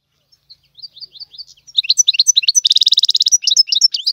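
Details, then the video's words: Goldfinch tiwawati tutor song building from soft spaced chirps into loud rapid twittering and a dense buzzy trill, continuing with lively slurred notes. "تغريد الحسون طيواواطي"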